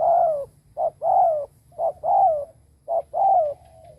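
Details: Spotted dove used as a decoy, cooing hard to attract others: three loud paired phrases, a quick note then a long falling coo, spaced about a second apart, with a soft low hum behind.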